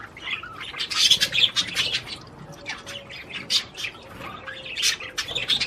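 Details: Budgerigars, Australian parakeets, singing to encourage mating: dense overlapping chirps, warbles and clicks in a continuous busy chatter, with a faint steady low hum underneath.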